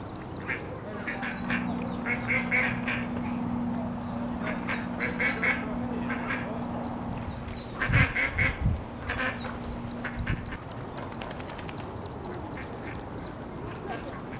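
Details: Ducklings with their mother duck at Iffley Lock on the River Thames in Oxford, squeaking as they follow her along the towpath and river. High, thin peeps repeat rapidly in irregular bursts over a steady low mechanical hum, with louder thumps and splashes midway.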